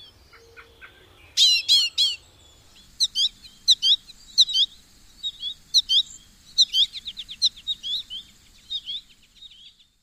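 An American goldfinch gives bright, high chirping calls, singly and in quick clusters of two or three, over a faint low rumble at the start.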